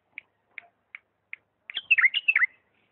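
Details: Four evenly spaced short chips lead into a rich phrase of sliding, downward whistles from a Diyala bulbul singing the lisanat style.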